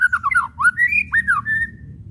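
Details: White-rumped shama whistles and chattering (kretekan), used to provoke shamas to sing: slurred whistled notes falling and rising, then a long rising-falling whistle.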